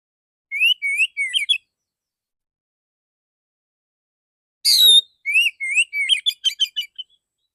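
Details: Male Oriental magpie-robin delivering clear, full 'dor dor' shooting notes: short rising whistled phrases, a long silence, then a harsh burst, more rising whistles and a quick stuttering run of sharp notes.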